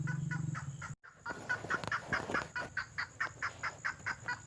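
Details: Red-legged crake lure call from the wild, briefly cut off by a short break, then resuming as loud, evenly spaced nasal squawks roughly two per second over faint low background noise.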